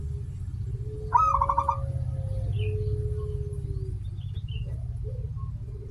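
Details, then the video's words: Local zebra dove singing, recording used as a lure to set other doves singing: one phrase opening with a high note then a rapid run of short pulsed coos, with a long low steady whistle-like tone beneath and low rumbling background. "perkutut lokal gacor suara awal panjang, pancingan perkutut agar bunyi"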